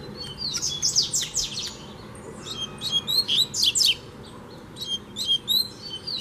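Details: Free double-collared seedeater singing against a caged bird: a dense, fast song of high sweeping whistles, sharp chips and buzzy trills, delivered in bursts with short pauses, strong and continuous.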